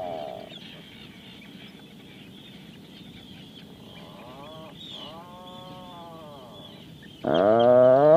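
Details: Faint, drawn-out harmonic moans from an Atlantic puffin, with a short note at the start and a sudden loud, deep groaning call at the end.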